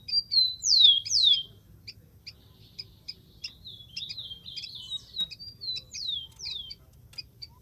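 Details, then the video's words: Rufous-collared sparrow in the wild opens with two loud, sweeping downward whistles, followed by softer high chips and a run of short slurred notes. Another pair of descending whistles comes near the end over a quiet background. "MASTERAN.BURUNG KICAU"SPARROW RUFOUS"(KICAU MANIA)Full Gacor di alam liar."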